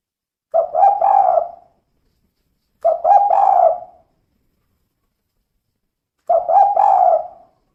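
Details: Three similar cooing phrases from a female spotted dove in the "kuk 2" style. Each has quick husky notes that blend into a longer, falling final coo, separated by short silences.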